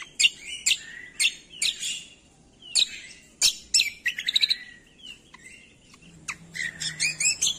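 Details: Cucak kombo song recorded for training songbirds, with loud sharp chirps scattered irregularly, a rapid stuttering series midway, and softer varied twittering toward the close.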